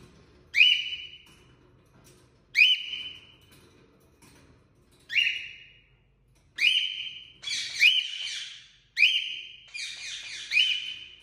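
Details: A male cockatiel (Nymphicus hollandicus) gives loud, sharp whistled chirps that rise then fall, repeated about every two seconds.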